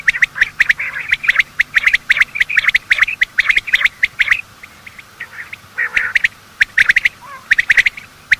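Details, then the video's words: Male and female quail giving morning calls used to lure quail for hunting: dense bursts of short, chirpy mid-high notes mixed with sharp clicking ticks, overlapping callers, with a brief pause near the middle before the chattering resumes. "Quail calling sound: master the Art of Quail tripping | Bater Awaz Subha"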